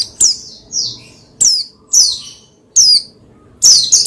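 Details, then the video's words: Pleci, the Oriental white-eye, used as stimulation material for another pleci to sing: five loud, high, downward-slurred notes spaced irregularly, ending in a quick double note, with near silence between them. "Menaikan Emosi Burung Pleci Bahan Agar Pleci Gacor Cepat Bunyi Rajin Gacor"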